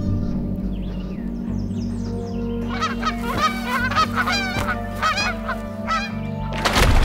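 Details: A mother Canada Goose, nesting on a beaver lodge with newly hatched young, gives a rapid alarm run of loud, harsh honks, about eight in four seconds, at something on the water's edge, over soft music, then a beaver's warning tail slap.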